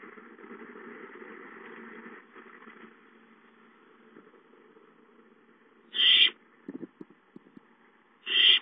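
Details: Owlets in a nest, filmed during a night and day of activity, give two loud harsh hissing screeches about two seconds apart near the end, with a low steady hum and soft clicks underneath.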